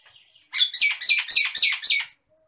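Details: Agitated Nias hill myna, recorded as a training sound for other birds, giving six loud, grating, buzzy bursts in an even rapid series lasting about a second and a half, after a faint whistle.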